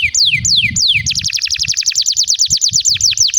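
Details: Canary song used as a lure to prompt other canaries to sing and as a master recording for young birds: slow descending whistled sweeps, then a fast trill of repeated downward notes about every tenth of a second.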